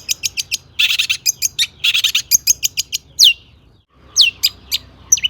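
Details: Used to make other shrikes sing, a long-tailed shrike's mimicry song: quick high chips, broad harsh rattles, then clear downslurred whistles separated by a short silence.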